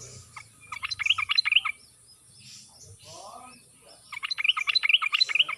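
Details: Sooty-headed bulbul in wild forest-style song used as a lure for silent birds: two quick chattering bursts, each about a second and a half long, separated by a pause with a faint low call.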